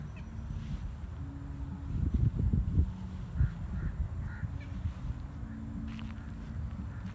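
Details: Dalmatian pelican giving low, hoarse, droning calls: a cluster of rough grunting bursts between two and three seconds, with steady low hums at the start and end, over constant background rumble and faint higher bird notes.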